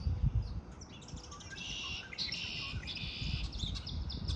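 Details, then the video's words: Birds singing in spring: dense buzzy, trilled bursts of high chirping, each about a second long, run together across the recording over a steady low rumbling background. "آوای آرامش بخش پرندگان در بهار"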